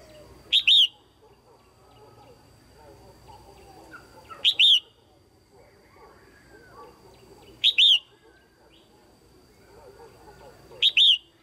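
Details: Calling female red-whiskered bulbul, used to stimulate males or to pair: a loud two-part phrase, clipped note plus slurred whistle, repeated four times at roughly three-second intervals, with faint softer bird chatter between.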